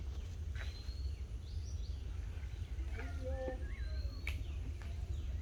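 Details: Birds singing in Ratargul swamp forest, Sylhet: scattered thin whistled notes, some rising and some with short stepped phrases, partly overlapping from several birds, over a heavy low rumbling drone and constant background hiss.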